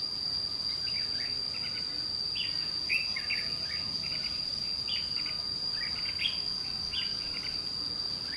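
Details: Red-whiskered bulbul with white cheeks, in a fighting exchange with a caged decoy at a trap. Quick chattering note clusters repeat over a steady high-pitched insect hum.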